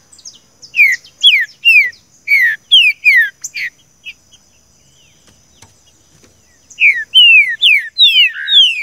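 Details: Green-winged saltator song of the seu chico style, for training a captive bird: repeated sharp descending whistles in two bursts separated by a three-second quiet gap, the second burst faster and louder, light high twittering throughout.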